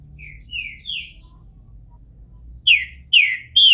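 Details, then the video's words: Captive green-winged saltator from a Brazilian breeder, coming out of moult and bald, gives three soft, short whistles, a long pause, then three loud, bright descending notes in quick succession. "Trinca ferro careca, saindo de muda!!"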